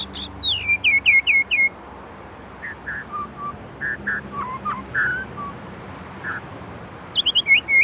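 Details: White-rumped shama from Indonesia singing a gacor song with isian fillers: a burst of rapid downslurred high whistles for under two seconds, then a pause with scattered softer mid-pitched notes, then high chips returning at the end.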